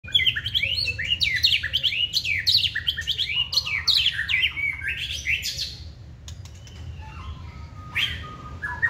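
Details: Caged White-rumped shama, a male with a spread tail, in its second season, singing a rich run of varied whistled and chirping phrases for about six seconds, then quieter notes and a steady low hum.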